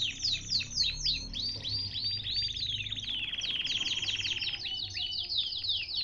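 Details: Caged canary song from Baghdad, Iraq, made of rapid downward-slurred chirps in bursts, merging into a dense rolling trill and then more quick slurred notes; low steady hum underneath.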